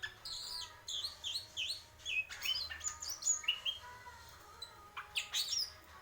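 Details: Greater green leafbird singing in purwo mendem gadong style, a lively mix of high swooping whistles, looped notes and sharp clicks, fairly continuous over six seconds.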